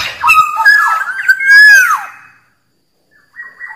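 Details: Black-naped oriole in the wild, song said to attract rival birds: a rich fluty phrase with a loud arching whistle and falling slur, then silence and a brief quieter note.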